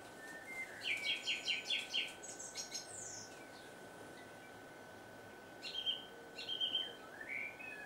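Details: A song thrush singing at dusk repeats a bright phrase about six times, then gives clear whistled notes and sharper chirping phrases, over a faint steady hum.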